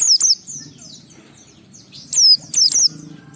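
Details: White-eye giving sharp high descending whistles and thin twitters, a couple at the start and a louder pair near the end, sung to encourage other white-eyes to sing.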